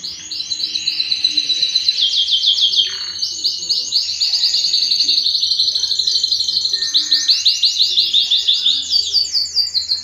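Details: Yellow canary singing a long, continuous song of rapid trilled phrases, high and bright, with quick chirping tours shifting in pitch and a brief lower dip near the three-second mark.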